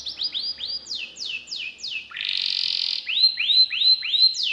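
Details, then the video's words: Gacor kenari song, showing the prized cengkok style with lavish fills: quick falling whistled slurs in series, a short buzzy rattle, then rising hooked whistles repeated in a steady rhythm. "KENARI GACOR CENGKOK ISTIMEWA,ISIAN MEWAH"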